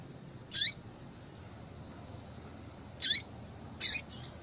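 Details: Female yellow-bellied seedeater calling to stimulate males into singing; short high chirps with a sharp upper burst and a lower downward tail, two calls about two and a half seconds apart, then a fainter third note, over a low steady hiss.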